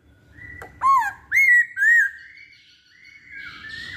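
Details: Masked laughingthrush (poksay hongkong) in a pancingan lure recording: three loud, clear whistled notes, the first rising then falling, the next two arching, followed by softer drawn-out whistles over a faint low hum.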